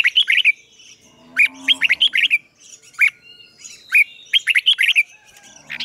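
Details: Red-whiskered bulbul acting as a decoy, calling rival birds to come and fight: short groups of three to five bright, rolling whistled notes, repeated after brief silences, with a faint low murmur in the background.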